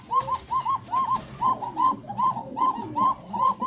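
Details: Farm-kept cooker pigeon from Pananagar, Bangladesh, a breed said to call all day with a 'ko ko' coo; steady series of bright arched coo notes, roughly two and a half per second, in a small indoor space.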